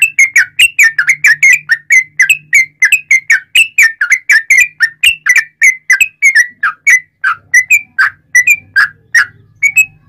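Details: Long passage of sooty-headed bulbul song in cucak rowo style, loud and connected, used to coax other bulbuls into singing: rapid chains of bubbly, up-and-down whistled notes, briefly thinning out midway, with a soft low hum beneath.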